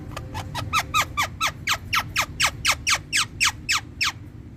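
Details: Green Indian ringneck parakeet kept as a pet in India, a talking parrot, giving a steady series of about sixteen sharp, downward-slurred squawks, roughly four per second, against a low room hum.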